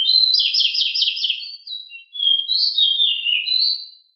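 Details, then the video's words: Pied bushchat, lively and loud, singing a long 'ngeroll' rolling phrase: fast, pulsing high trills at first, then a chain of sliding whistles and twitters running for about four seconds. "Sangat Ngeroll!!! DECU sangat gesit suara sangat berisik"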